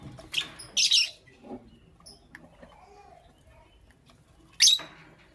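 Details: Lovebird in the morning giving two loud, harsh, rasping chirps close together near the start, then a quiet gap with faint notes, then a single loud chirp near the end.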